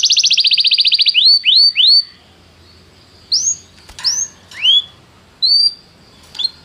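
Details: Canary song for training a canary to sing: a brief fast buzzy trill, followed by separate rising whistled slurs spaced about half a second to a second apart, with a faint low hum.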